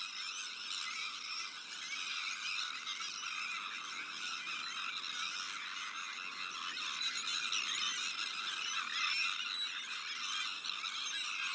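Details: Sandwich tern colony during the breeding season, alongside black-headed gulls, arctic and common terns: a continuous wall of shrill, grating calls from countless birds, roughly four harsh notes a second blending into a steady chatter throughout.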